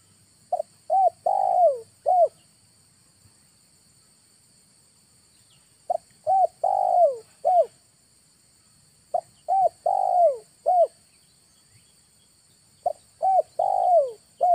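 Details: Spotted dove lure call recorded in August. Four full phrases come about every three to four seconds, each a quick stutter followed by three soft, mellow coos, the middle one long and falling. Quiet pauses separate the phrases.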